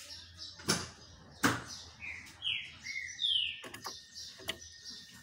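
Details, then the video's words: Green-winged saltator sunbathing and singing a short phrase of slurred whistles, some rising and some falling, between several sharp knocking sounds. "trinca ferro cobra no banho de sol"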